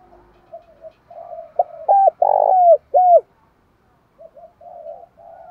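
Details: Spotted dove cooing, used as a lure to provoke male doves to fight; soft low murmuring coos build to three loud arched hooting notes with a broad central coo, then fade back to quiet murmurs.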